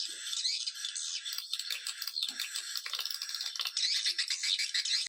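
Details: Swiftlets recorded as a lure call for attracting birds, a dense continuous chittering and rattling of many high, buzzy twitters overlapping throughout, with brief dips in between.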